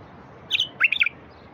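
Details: Wild bulbul song for rousing silent wild bulbuls: one bright note followed by a fast, tumbling warbled phrase of several notes, all within about half a second.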